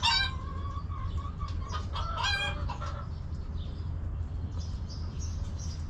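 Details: Backyard hens in their coop on a homestead, clucking while relaxing: a burst of louder clucks and a short harsh squawk in the first three seconds, then quieter distant clucking over low hum.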